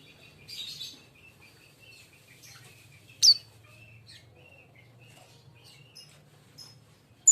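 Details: Fledgling sunbird, raw and untrained, kept caged: scattered soft high twitters, then one sharp piercing downslurred chirp midway and another at the end, over a faint low hum.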